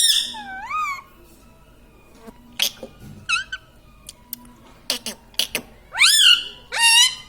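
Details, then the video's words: Talking pet parrot at home, repeating "mummy" and "radhe radhe"; a series of bending, voice-like tonal syllables, some rising sharply, broken by short clicks and soft background noise. "Mummy bolo mothu || mummy ka pyara tota || bolo mithu mithu"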